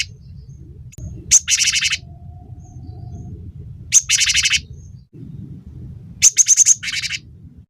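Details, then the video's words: Cinereous tit recorded to train and stir other birds into song: short high squeaks each followed by a harsh buzzy churr, repeated three times against a low droning hum. "masteran burung gelatik batu gacor pancing bunyi"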